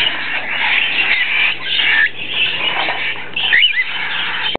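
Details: Juvenile cockatiel chicks begging while their father feeds them: a continuous raspy, wheezing chatter with rising and falling harsh tones, ending with a few brief squeaky notes.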